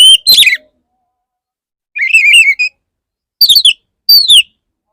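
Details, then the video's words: Male Oriental magpie-robin courting a female gives a pair of falling whistles, a wavering warbled phrase after a pause, then two more sharp down-slurred whistles, the rest quiet. "Pancingan burung kacer jantan perayu burung kacer betina gelis"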